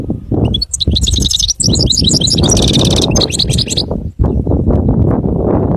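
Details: Singing goldfinch delivering about three seconds of quick, high twittering, with one buzzy, sustained trilled stretch in the middle, then stopping while heavy low rumbling noise carries on throughout.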